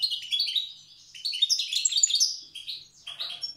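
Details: European goldfinch in Tiaret singing the old wild-bird style: a dense, jangling cascade of high twitters that fades briefly before a final short phrase.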